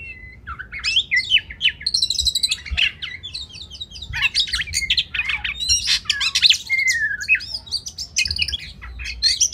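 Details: Oriental magpie-robin masteran song for training competition songbirds: a dense, busy jumble of scratchy chirps, squeaky notes and brief whistles, delivered continuously with rapid changes of pitch and a faint low hum underneath.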